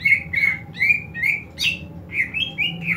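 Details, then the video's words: Greater green leafbird giving a fighting call meant to train other leafbirds' fighting spirit: a run of harsh, squawking chirps, each a short burst, repeated roughly every third of a second with brief pauses between, over a faint low hum. "CUCAK IJO TARUNG INI, COCOK UNTUK MELATIH MENTAL TARUNG CUCAK IJO LAIN"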